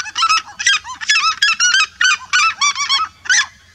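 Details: A flock of red-legged seriemas calling together in a vibrant chorus: loud, yelping notes with stacked harmonics, given in irregular bursts about once a second, overlapping voices.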